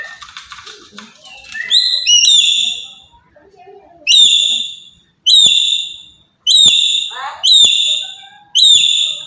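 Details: Black-capped lory from Papua making loud provoking calls for other birds: brief human speech at first, then six or seven sharp, high, ringing notes, each short with a downward slur, at irregular intervals.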